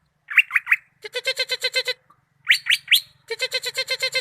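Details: Greater green leafbird (cucak ijo) from Malinau: bursts of three rising slurred whistles, each followed by a rapid chattering string of rich harmonic notes, with the pattern heard twice and a faint low hum behind.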